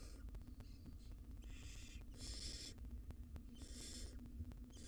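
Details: Barn owl mother feeding her nestlings inside a nest box, wild birds; long rasping hiss bursts, three to four in a few seconds, with sharp ticking clicks and a constant low background hum.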